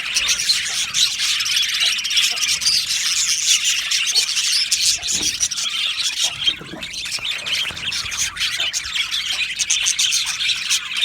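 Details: Many budgies in an aviary sing and chirp continuously, a thick layer of high twittering and rapid tweets with occasional louder squeaky calls rising above the flock.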